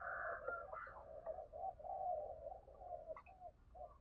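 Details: Spotted dove giving urging calls used to rouse decoy birds: a run of low, hollow coos, steady and slightly wavering, over a rumbling background hiss.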